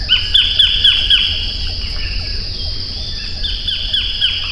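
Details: White-collared kingfisher giving loud, rasping notes repeated about four per second in two bouts separated by a quiet gap, set against a steady droning insect chorus.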